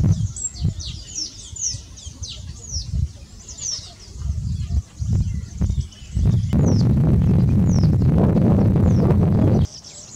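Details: Golden palm weavers chatter in a large reed nesting colony shared with other weavers and bishops at Nguuni: many overlapping high, sizzling chirps and squeaks, partly buried under heavy low wind rumble and handling noise.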